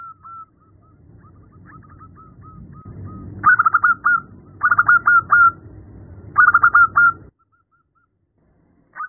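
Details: Female zebra dove calling the male, used as a lure for other zebra doves: soft faint cooing notes, then three loud bursts of stuttering, rolling coos, with a low rumbling hum beneath.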